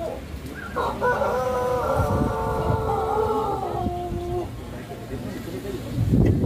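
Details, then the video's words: At the first Pelung chicken contest in Banyumas, held at a durian agritourism site in Karangrau village, a Pelung chicken gives a long, resonant crow of nearly four seconds that drops in stepped stages toward the end, with men talking nearby. "Kontes Ayam Pelung Banyumas"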